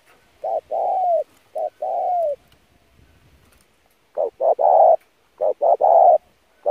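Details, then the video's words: Lure cooing of a spotted dove for training decoys, an insistent driving song: low hollow phrases of short hoots ending in longer slightly falling coos, a brief pause midway, then more rapid phrases. "kích mồi tập bổi chim cu gáy cực chuẩn / thúc gù căng lửa"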